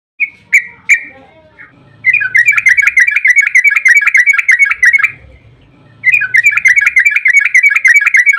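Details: Yellow-vented bulbul singing in the lively 'ropel panjang' (long rapid trill) style, used as a lure so other bulbuls answer. Two short bubbly notes come first, then two long runs of fast chattering, warbled notes follow after a pause.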